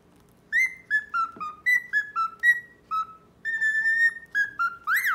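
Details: Male cockatiel, a pet, courting a female that ignores him: clear whistled notes near the same pitch, short descending pairs repeated about twice a second, then a long held whistle and a sharp rising squawk at the end; faint background hum.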